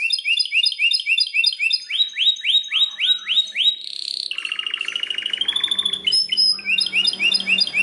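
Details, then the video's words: Belgian canary singing very strongly: repeated upslurred chirps about four per second, a long buzzy note, then a fast rolling trill and high whistles before chirping resumes. "o canário belga canta muito forte"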